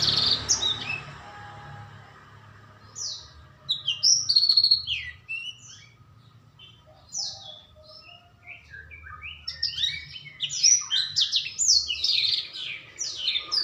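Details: Juvenile black-throated canary, whose song is becoming loud and melodic, starts with soft scattered twitters, then builds into quick bursts of high chirps and sliding trills, with faint hum beneath.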